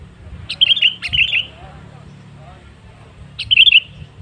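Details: Lure song of a sooty-headed bulbul, used to get other birds singing: two quick phrases of liquid, warbled whistles, then a pause and a third matching phrase, over a low rumbling background.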